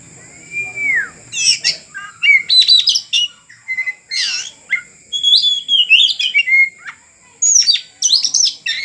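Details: Oriental magpie-robin, a caged bird being tamed, sings loud and clear: a long arched whistle, then rapid bursts of varied whistles, trills and sharp chirps in short phrases separated by brief pauses.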